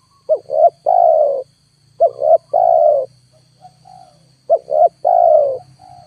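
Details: A loud spotted dove lure fails to bring down wild birds. Three phrases, each two short notes and a long, wavering, downward coo, play over a steady low engine-like drone, with soft coos between them.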